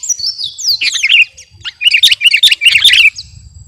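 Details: Kutilang garuda, a sooty-headed bulbul in contest-ready song: a falling run of whistled notes, then a brief gap and a tight cluster of bright chattering chirps, with soft low rumble near the end.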